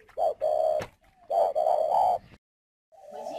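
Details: Caged decoy spotted dove from Ba Vì, Hanoi, Vietnam, cooing: a soft opening note, then a steady hollow coo, a pause, and three rapid linked coos, then silence and a final quieter coo in a small room.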